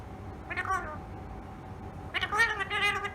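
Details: Tame ringneck parakeet talking: one short speech-like syllable, a pause, then a longer rich, harmonic string of mimicked word sounds, indoors.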